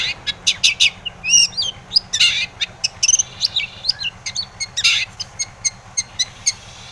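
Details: A Long-tailed shrike singing to goad rival shrikes into song: a rapid jumble of high chirps, short whistles and a few scratchy rasps, varied and dense, with a low background hum.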